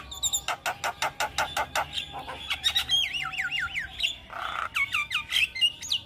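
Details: Javan myna tutor song aimed at young birds: a fast train of clicking notes, then a bouncing series of looping up-and-down whistles, a short harsh rasp, and more bright whistled slurs.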